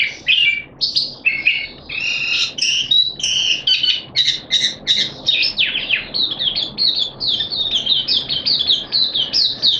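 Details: Caged Malaysian Oriental white-eye singing on 25 February 2023, delivering dense high-pitched twitters and quick downslurred chirps in a lively, unbroken run that grows into fast, evenly pulsed notes toward the end.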